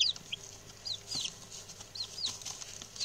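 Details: Newly arrived male chicks, a group of six, calling: softer high, falling peeps spaced unevenly over steady background rustle and hiss.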